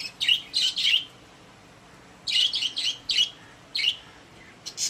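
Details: Happy caged pet budgerigars give short bursts of two or three sharp, high chirps, with a pause before a second cluster and isolated single chirps after it.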